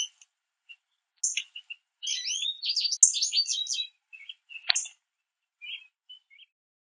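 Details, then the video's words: Small group of American goldfinches at a backyard mesh seed feeder, calling while pulling out sunflower seeds: high, thin chirps and rapid jumbled twittering in a burst lasting about two seconds, then scattered single high notes. The background is quiet. "Goldfinches Chirping at The Bird Feeder"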